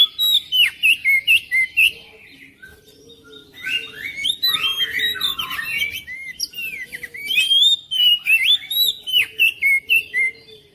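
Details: Oriental magpie-robin song meant to get a quiet bird singing: rapid, evenly pulsed bright whistled notes, then a dense tumbling medley of varied warbles and chirps, and again pulsed notes, over a faint low hum.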